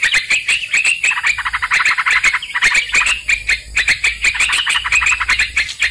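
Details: Lure sound for trapping sooty-headed bulbuls: long stretches of lively, bubbly chatter from overlapping voices, broken by a short pause mid-way, with sharp clicks and a persistent faint high tone.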